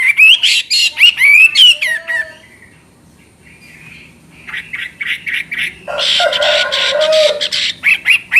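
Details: Chinese hwamei song: a fast burst of bright, slurred whistles, a short quiet pause, then softer chattering notes and a dense, buzzy, scratchy passage that returns to sharp whistled phrases.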